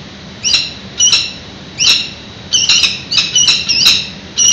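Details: Peregrine falcon male arriving at the nest ledge in February to relieve the female from incubation; scattered loud, harsh chips and squeaky double notes at irregular intervals, low electrical hum in the background.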